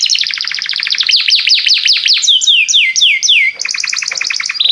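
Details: Continuous Belgian canary song, used to set other canaries singing: rapid stuttering trills shift into a series of falling whistled notes and then a fast repeated chatter, all high-pitched and without a break.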